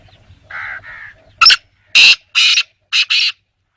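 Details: Black francolin calling: two softer grating notes, then a sharp click and four loud, harsh, rasping notes in quick succession, against a quiet background.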